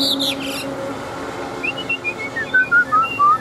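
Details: Wild-caught adult Chinese hwamei fighting bird with a forest-style voice: brief high chirps, then a run of clear whistled notes, slurred and descending, growing louder at the end.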